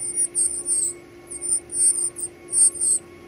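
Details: Chicks calling for food during feeding, giving shrill, very high-pitched squeaks in quick runs of several bursts with short pauses, a constant low hum beneath.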